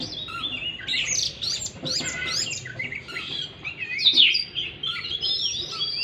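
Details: Oriental magpie-robin song meant to prompt a stressed caged bird that has gone quiet; rich, fast-changing whistled and chirping phrases, some slurred downward, in continuous bursts.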